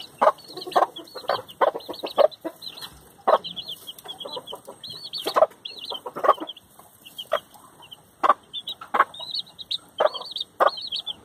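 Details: Hen with her chicks: steady high peeping from the chicks throughout, mixed with the hen's low repeated clucks and some scratching or rustling.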